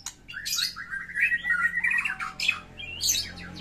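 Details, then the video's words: White-rumped shama in fighting mode, singing a rich, varied song used to prompt a silent shama to sing: loud squawky bursts, then a long warbling run of rapid notes, with sharp high chips at the end. "murai batu tarung gacor isian mewah cocok buat pancingan murai batu macet bunyi"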